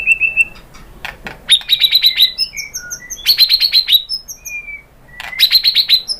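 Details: White-rumped shama lure song to make other birds respond: short high chattering series of sharp, repeated notes in quick bursts, separated by thin whistled slurs and pauses.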